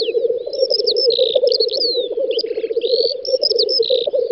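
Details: Group of black grouse at a lek on a May spring field in the Volga federal district: a continuous low bubbling pulse, with buzzy hisses and squeaky whistled calls of other birds layered over it.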